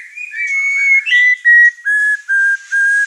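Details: Caged white-rumped shama, over-excited and singing hard enough to agitate other birds in the house: a long level whistle followed by five steady, flat whistled notes of similar pitch, evenly spaced.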